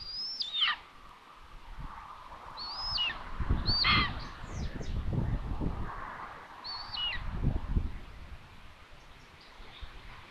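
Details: Common buzzard at its nest in Tiszalök, Hungary, June 21, 2022, during a food delivery to an empty nest; scattered high mews with abrupt falling ends, partly masked by heavy low rumbling and wind-like noise.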